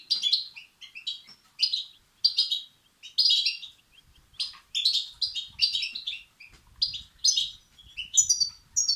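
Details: Begging European goldfinch chicks, sound used to excite and stimulate males; steady run of high, buzzy twittering chirp clusters, roughly one burst every half second, fairly even loudness throughout.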